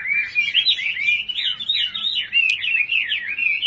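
A Chinese hwamei sings a rich, unbroken run of loud, varied whistles, sliding up and down in quick melodic phrases with no pause.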